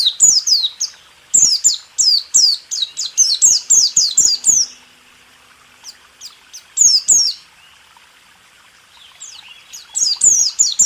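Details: Caged white-eye song used as a training recording for songbirds: rapid bursts of high, thin, descending chirps and twitters, delivered in fast runs separated by short pauses, with faint clicks beneath.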